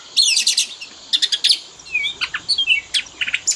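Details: Lure song for a kept Oriental magpie-robin: opening rapid scratchy chatter, then sharp clicking bursts and quick whistled slurs scattered across the phrase.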